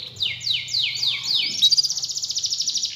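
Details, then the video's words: Lure song of a canary meant to spur a silent canary to sing; five steeply falling whistled sweeps, then a fast, even, pulsing trill for the last half. "Pancingan Burung Kenari Males Bunyi Agar Gacor Lagi"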